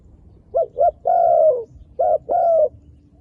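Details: Mellow cooing from a wild dove: two quick hoots lead into one long, slightly falling coo. A second pair of hoots follows straight after, the last one stretched out.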